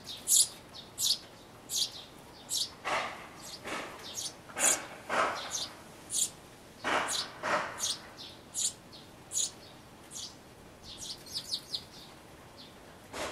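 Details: Young sparrows nearly ready to fledge, calling from within a birdhouse on 12 May 2012; rapid, insistent chirping with frequent harsh, broadband rasping squeals, many notes per second in an almost continuous chorus.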